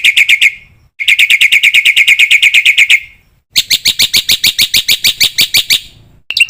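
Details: Black-winged myna training song, rich in fill phrases, meant to set other mynas singing: three bursts of rapid, evenly repeated ringing chips separated by brief pauses, the last burst harsher and more metallic.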